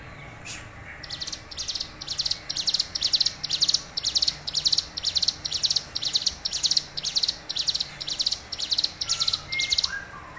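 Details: Hill prinia, tame and singing steadily. It gives a long run of short, high, rattling buzzy bursts, about two each second, for nearly ten seconds. A faint low whistle comes near the end over a quiet background.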